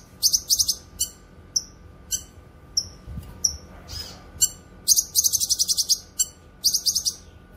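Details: Song of the cucak kinoy, or grey-cheeked bulbul, used for training cage birds and luring wild ones: high, thin chirps and rapid, buzzy, stuttering trills in uneven bursts.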